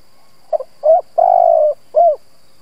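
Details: One complete coo phrase from a decoy spotted dove meant to provoke rivals: a quick stuttered pair of notes, a short coo, a long steady hollow note, then a final falling coo.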